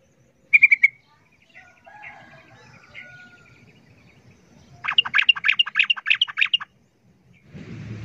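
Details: Sooty-headed bulbul calling noisily in a 'ropel' fight with a wild bird; a brief sharp burst of notes, soft scattered chirps, then a quick bubbly chatter, ending in a rush of noise.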